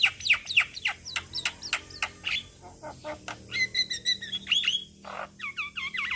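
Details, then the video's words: Male Javan myna calling young companions, mixing sharp clicks and squeaks with paired whistled notes and a string of descending slurred whistles toward the end. "Kicauan Jalak Kebo Jantan Memanggil Kawan Jalak Kebo Muda"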